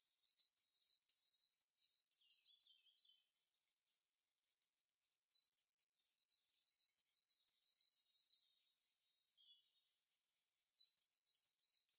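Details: Birds in their natural habitat sing a rapid, even series of high two-part chirps, about two per second, in two runs separated by a quiet gap, with a softer third run starting at the end.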